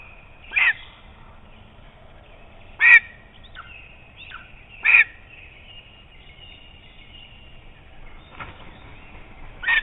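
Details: A lesser spotted eagle at a nest camera in Estonia gives short, high, yelping notes with a quick downward slur, repeated every two to three seconds over a quiet background.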